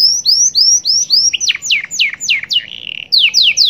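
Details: Pet canary song in the 'cengkok super mewah' style with glatik batu fill-ins: evenly spaced rising whistled slurs, then steep falling sweeps about three per second, a brief buzzy note, and more rapid downslurs.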